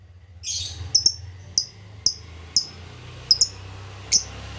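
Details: Lovebird calling to lure loose birds and rouse mating in others: short piercing chirps, sometimes in quick pairs, spaced about half a second apart against a constant low hum.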